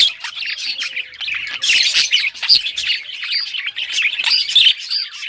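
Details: Pet budgerigars in rare colours play with toys on June 18, 2023, giving a continuous busy warble of high chirps and squeaky notes from several birds at once, with brief clicking taps.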